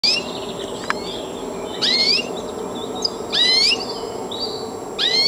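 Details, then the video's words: Siberian goldfinch singing: bright sweeping whistled phrases, sharply rising then arching notes with buzzy overtones, delivered in short bursts about every one and a half seconds over a steady low background hum. "Siberian Goldfinch"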